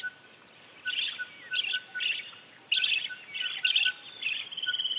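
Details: Severe macaw calling in a series of rough, grating squawks, six bursts at roughly even intervals under a faint steady tone.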